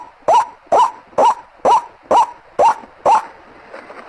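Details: Lure recording of a White-breasted waterhen: seven loud, clipped, rising croaks at about two per second, ending abruptly and followed by a brief quiet tail.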